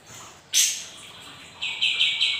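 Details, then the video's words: Lively lure song of a sooty-headed bulbul: one loud sharp burst, then a few bright repeated notes near the end over quiet background. "PANCINGAN KAPAS TEMBAK GACOR DIJAMIN LANGSUNG NYAUT"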